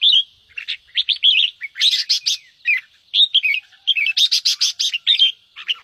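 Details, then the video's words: Red-whiskered bulbul singing in the ché style, used to set caged bulbuls singing: fast chattering series of chirpy notes mixed with loud harsh rasping bursts in two clusters. "Kích chào mào ché/Chào mào hót kích ché cực nhạy/Kích bổi nhanh ra âm"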